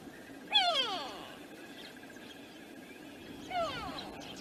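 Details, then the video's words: Close-up African harrier-hawk at a waterhole on Djuma Game Reserve, Sabi Sand Wildtuin, South Africa, windy afternoon of 20 July 2025; two strong, rich descending whistles about three seconds apart, each sliding steeply down, with wind hiss and faint birds behind. "African Harrier Hawk up close at the pan at Djuma Cam on a windy afternoon"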